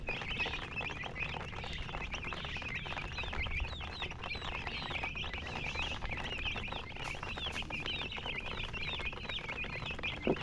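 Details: A group of baby chicks keep up a steady stream of high, arched peeps, many overlapping and repeated several times a second, with faint tapping and a soft background hum.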